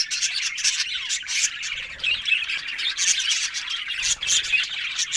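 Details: Budgerigars chattering together, recorded October 1: an unbroken mass of scratchy warbles, chirps and short squawks from several birds at once, with steady loudness and no other sounds.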